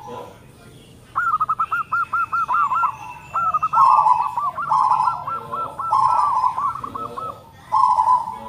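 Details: Local zebra dove with a big voice and tightly spaced notes: a quick run of short clipped notes, then longer rolling coos in stretched phrases, with brief pauses between bursts and a faint high hum behind.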